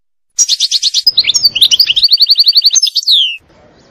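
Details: Forest-dwelling wild European goldfinch delivering a fast burst of bright, evenly repeated chirps that run into a tinkling trill and end on a sliding, descending note.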